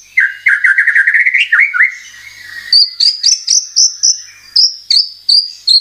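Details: Murai batu lure song to trigger singing: a rapid buzzy rising trill, short slurred notes, then clear high whistles repeated about twice a second.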